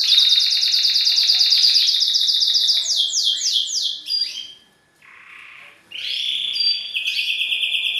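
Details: Courting male canary singing to a female to push her toward mating posture: fast high trill, then sweeping slurred notes, a short pause with soft rustle, and renewed rolling trills.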